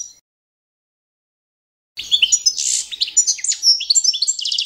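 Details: Balkan European goldfinch, Carduelis carduelis balcanica, singing to competition standard for training: after a short silence, a dense rush of high twitters, a buzzy burst and fast repeated trilled notes.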